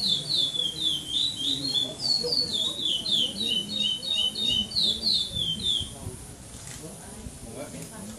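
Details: Competition chestnut-bellied seed finch (curió) in a cage, 2014 tournament, São Domingos do Maranhão, Brazil, singing pardo style without repetition, second place. Rapid high whistled phrases for about six seconds, then the bird stops while soft background voices continue.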